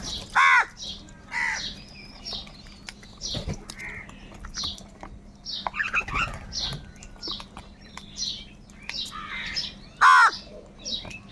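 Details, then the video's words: Crows fighting for food: two loud, harsh caws open and close the stretch, with softer squawks and many faint chirps of other small birds scattered between them. "Crow birds loudly crowing sounds - কাকের ডাক Crow Sound | Kaka sound and noises of crow birds"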